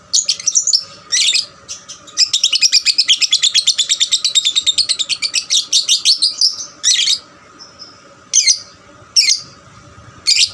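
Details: Young lovebird singing eagerly, recorded as a lure to stimulate other lovebirds; a few harsh chirps, then a long rapid rattling trill of about forty quick notes lasting over four seconds, then more scattered shrill chirps.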